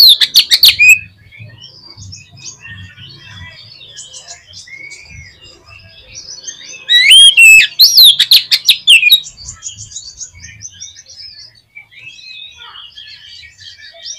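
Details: Oriental magpie-robin song used to provoke a pet bird to sing: a loud chippy burst at the start, then faint twittering, then a second strong run of sharp whistled notes and slurred phrases before fading to soft background chatter.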